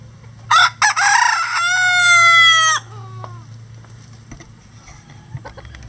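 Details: One of some twenty roosters, standard and bantam breeds, crowing all day on a farm; a full cock-a-doodle-doo, two clipped notes then a long sustained harmonic note, followed by faint distant crows and soft clucks.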